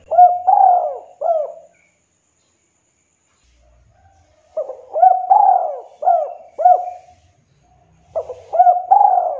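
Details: Spotted dove, locally tekukur or derkuku, giving the two-note 'kuk 2' call used to challenge a rival and as a lure; mellow rising-then-falling coos in three phrases separated by pauses of about two seconds.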